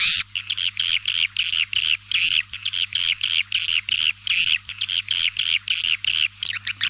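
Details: Rhythmic swiftlet calls: high, rasping chirps come in evenly spaced pulses several times per second, steady throughout, with a low constant hum underneath.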